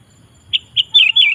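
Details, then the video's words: Sooty-headed bulbul song meant to lure wild bulbuls: two separate short notes, then a fast liquid warbled phrase, bright and clear. "Suara Burung KUTILANG GACOR Memanggil Kutilang Liar Ikut Gacor"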